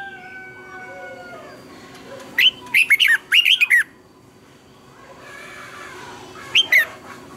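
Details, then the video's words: Red-whiskered bulbul singing in the morning, a lure recording for training other birds, in the double twisted-note style: a quick burst of about eight bright, sharply bending whistled notes, then a shorter phrase, after faint steady tones. "Luyện chào mào hót sáng hay nhất, Ép chào mào hót âm kép xoắn hay tuyệt, luyện chào mào hót căng lửa"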